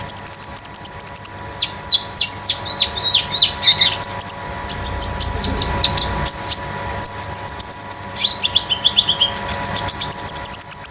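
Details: Caged olive-backed sunbird (konin), a 'damer metalik' bird used as masteran and lure, sings fast and continuously: descending high whistles, thin trills and rapid tinny chirps at roughly three per second throughout.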